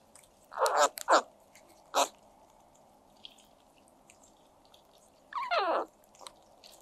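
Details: Crows eating egg yolk, a food new to them, give rare happy-sounding calls: a quick pair of rough, nasal caws, a single clipped note, then a longer wavering raspy call after a pause, over a steady low hum.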